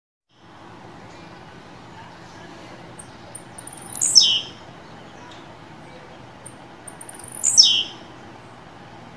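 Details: Blue-black grassquit kept in captivity, warm-up singing in fibra style: two quick descending buzzy phrases about three seconds apart, each opened by thin high ticks over low steady background hiss.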